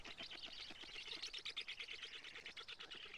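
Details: Black stork chicks at a nest in Karula, Estonia, begging as a parent arrives to feed them, live nest camera, 20 June 2017, 19:48. A rapid, rhythmic, harsh chattering pulses about three times per second, steady and unbroken throughout.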